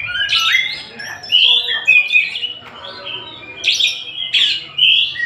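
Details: Oriental magpie-robin, a kacer from Tasik, sings loud harsh-edged chirps mixed with long pure whistles, giving short phrases roughly every second, strong and clean.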